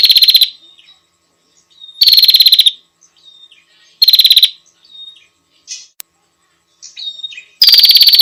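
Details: Female bar-winged prinia giving loud, buzzy, rapidly pulsed bursts of about half a second, repeated roughly every two seconds, with faint soft twittering notes between the bursts.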